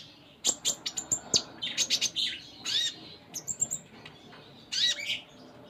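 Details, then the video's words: Konin, the Sunda minivet, singing gacor with full isian fillers: rapid high ticking chirps, then buzzy slurred phrases and scattered thin whistles, with a loud buzzy note near the end. "Konin Gacor Full Isian"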